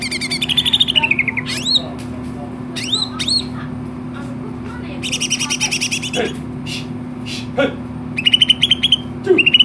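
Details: Energetic greater green leafbird song: rapid trilled phrases near one pitch, steep whistled upsweeps and harsh buzzy harmonic bursts, separated by short pauses, with a constant low hum behind.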